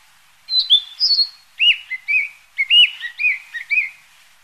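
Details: Narcissus flycatcher, a passage migrant stopping briefly, giving a short run of clear, high whistled notes, first higher then dropping to a lower phrase of slurred chirps, with a quiet background.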